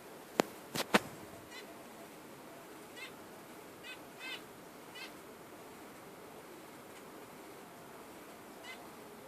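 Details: Budgerigar chirps after a few loud clicks at the start, then short harmonic calls in small groups, fading toward the end, over quiet hiss.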